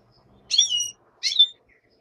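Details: Black-headed goldfinch singing during the day: two short, bright twittering bursts about half a second apart, high-pitched with a buzzy, slurred quality; a common nightingale sings in the background, otherwise quiet.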